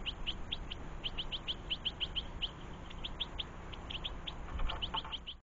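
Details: Goldfinch adults and young feeding in a garden; rapid high chirps in an even run, with a brief lower tonal sound near the end.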